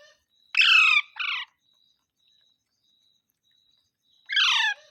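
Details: Parrot, green, uttering mitthu mitthu: two harsh, harmonic, downward-sliding syllables in quick succession, a pause, then a third similar squawky note, over a faint steady high electrical whine.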